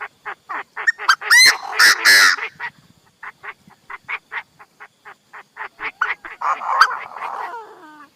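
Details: Chinese francolin used as a decoy: steady rhythmic harsh notes, broken twice by bursts of louder, rougher, overlapping calls, then the quick repeated notes resume.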